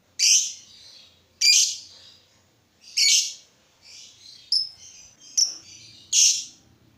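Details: Lovebird whose calls are used to stir other lovebirds to sing: loud, harsh, buzzy high chirps spaced about a second apart, mixed with softer twittering and thin clipped notes between them.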